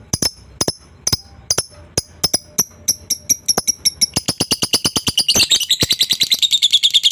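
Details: Lovebird chattering meant to stir a rival to reply: sharp high chirps, spaced at first, speeding up into a continuous, harsh, buzzy chatter by the end.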